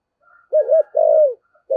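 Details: Cooing spotted dove, a decoy bird singing 'giọng thổ' style. Two rounded quick notes lead into a long, gently falling coo, and a fresh phrase begins just as it ends. Faint hums come before the phrase.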